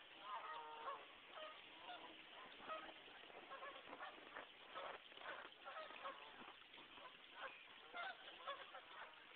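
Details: Geese on a brook in West Concord, Massachusetts, during a January snowstorm in 2009; a chorus of overlapping nasal honks and clucks from a flock, rising and falling steadily, with a faint background hiss.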